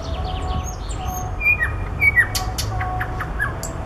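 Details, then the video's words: Short passage of common nightingale song among flowers: a few clear falling whistles and sharp high clicks, loosely spaced, over a constant low hum. "Соловей поёт в цветах"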